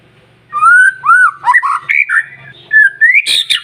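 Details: White-rumped shama singing to stimulate other shamas: after a short silence, a string of rich, looping whistles and quick twisting notes, climbing toward a burst of high harsh notes at the end.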